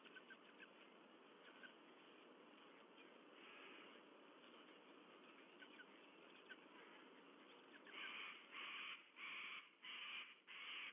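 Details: White-bellied sea eagle (Haliaeetus leucogaster) chicks SE29 and SE30 at their nest, Sydney Olympic Park, Australia, 14 September 2022, give loud, harsh begging cries about twice a second near the end, after fainter calls, over a steady wind-like hiss.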